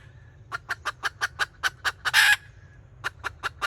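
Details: Red junglefowl hen used as a decoy, kataak call, 2024. A faint thin tone leads into a quickening chain of crisp clucks. A rasping burst breaks the chain, and after a pause four more clucks follow over low background hum.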